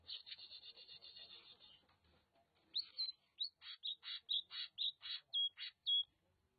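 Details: Oriental magpie-robin from Nagan Raya, Aceh, starting with a rapid scratchy trill, then a measured series of about a dozen loud, sweet, slurred whistles roughly two per second.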